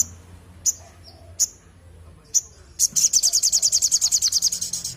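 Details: {'caption': 'Crimson sunbird (sogon) singing vigorously. Three separate thin, sharp chips come roughly a second apart, then a sustained, very fast, high-pitched trill of repeated notes carries to the end.'}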